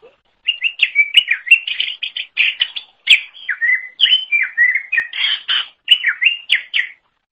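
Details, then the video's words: Greater green leafbird (cucak ijo) in full song, used as tutor material for songbirds: a continuous, varied stream of whistled and warbled phrases, some rising and some falling, with only brief gaps. "Kicauan Super Cucak Ijo Gacor Untuk Masteran"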